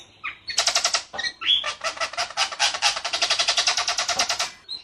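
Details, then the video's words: White-rumped shama delivering the harsh, rough side of its 'rol tembak' song: a dense, rattling series of rapid, buzzy broadband notes, almost machine-like, interrupted by a single bright whistle. "Ciung batu gacor rol tembak suara kasar jernih!!!!!"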